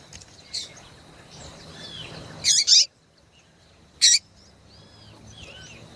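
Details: Female yellow-bellied seedeater calling to excite males: a doubled burst of harsh high chips, then a single one after a short pause, with faint twittering notes around them.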